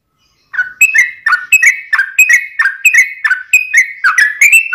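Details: Trucukan, the yellow-vented bulbul, in long ropel song: after a short silence, rapid chains of liquid whistled notes alternate up and down, about one and a half phrases per second, punctuated by crisp high ticks.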